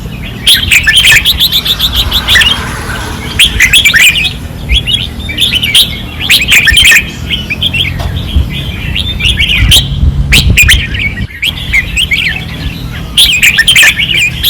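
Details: Red-whiskered bulbuls kept in cages at a training perch in Pattani, 2024, sing fiercely: dense runs of rich, chirpy whistled phrases repeated throughout, overlapping one another, with a constant low rumble underneath.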